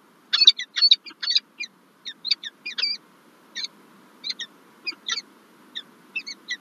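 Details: Peregrine falcon calling at its nest in Lublin, Poland, 9 March 2024, during egg laying, as one bird brings a gift: loud, grating, clipped notes tumbling quickly at first, then spacing out into separate harsh calls over a low steady hum.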